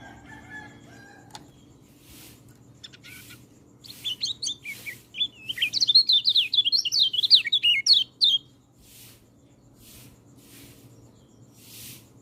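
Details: White-eye song meant for training birds that seldom sing: after soft background hiss and faint bursts, a quick burst of high, tumbling twittered notes runs for about four seconds, then fades back into quiet rustling.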